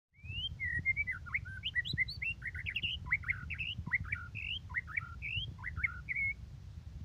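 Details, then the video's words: White-rumped shama singing a fast run of clear whistled phrases, with rising and falling slurred notes and short chirps packed closely together over a steady low hum. "Murai Gacor"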